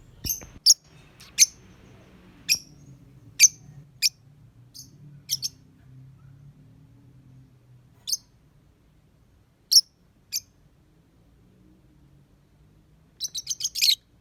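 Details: Lovebird described as a skilled singer, producing isolated piercing high chirps every second or so, then a quick run of squeaky notes at the close, with low background hum.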